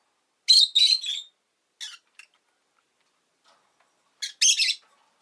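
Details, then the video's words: Rosy-faced lovebird calls: a cluster of three scratchy high chirps, a few softer clipped chirps, quiet, then another pair of rasping chirps near the end. "Lovebird Chirping Sounds"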